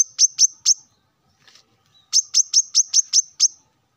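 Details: A male plain-throated sunbird calls out rivals in the morning with three bright, high chips, a pause over a soft low flutter, then a tight string of eight more shrill, evenly repeated notes.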